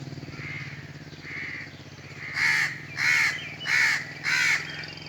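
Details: Crow calling: after faint hoarse notes and a low steady hum, four loud harsh caws come about every half second, each a rough downward-bending burst.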